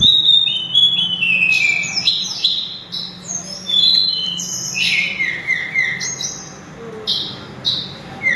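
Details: Sulingan, known too as tledekan gunung, pours out a rapid, shrill run of thin whistles, many short notes slurring downward in cascades, with brief pauses between phrases.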